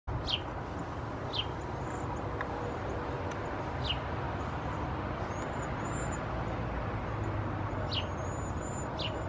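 Cedar waxwings give thin, very high, hissing whistles over a steady roar of distant traffic.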